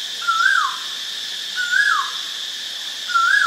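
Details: White-vented myna in Ubon Ratchathani, Thailand, 8 March 2022: three loud whistled calls, each a level note that climbs and then slides down sharply, spaced roughly 1.4 seconds apart over a steady high insect drone.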